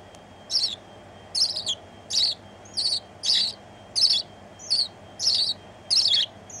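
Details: House sparrow singing from a person's shoulder, a member of a Dutch house sparrow conservation board, on 1 January 2016 in the afternoon: bright high chirps repeated steadily, about one and a half per second, each a short sharp burst.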